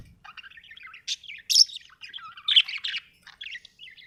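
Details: A cheerful budgie gives scattered short chirps and tweets, with a few louder sharp notes standing out among softer twittering; the background is otherwise quiet.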